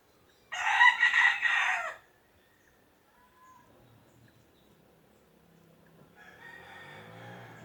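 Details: Rooster crowing once loudly for about one and a half seconds, followed by a quiet pause, a brief whistle and then a distant second crow fading in.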